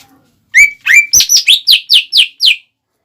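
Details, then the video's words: Greater green leafbird song intended to provoke rivals: two rising whistles followed by seven quick, high, down-slurred notes at an even pace. "PANCINGAN CUCAK IJO GACOR CEPAT MEMANCING EMOSI LAWAN"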